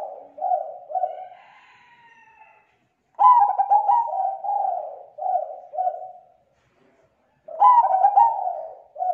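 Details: Thick, clear zebra dove calling, a lure for attracting other zebra doves: soft coos trail off, then two full phrases follow, each with a stuttering rattly start running into a string of mellow repeated coos.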